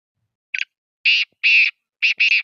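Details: Black francolin in Sindh, Pakistan; a harsh, grating call of five notes: a short clipped note, two longer rasping notes, then a quick pair, all evenly pitched and given within about two seconds, with silent background.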